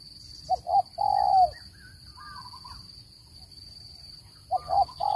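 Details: Spotted dove lure call for bird trapping: two short coos and a long level coo, then a quiet gap with faint chirps before the opening coos of another phrase, over a steady whine.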